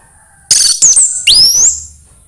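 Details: Orange-headed thrush singing, played as an encouragement for a bird to sing: a burst of harsh, high notes, then a sweeping, rising whistle that slides up and levels off.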